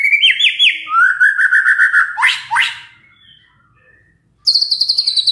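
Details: A white-rumped shama sings a lure song so other shamas answer: stuttering whistles, a buzzy rapid run, two harsh rising sweeps, near silence, then a fast high trill.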